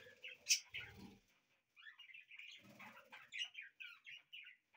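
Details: Indoor pet budgies singing: an early loud shrill squeak, then steady chattering warble of short buzzy and whistled notes running on without a break, with a low soft murmur underneath.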